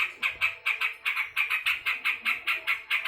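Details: Angry yellow-vented bulbul giving clear, harsh, evenly spaced notes, about two and a half per second, with little background noise.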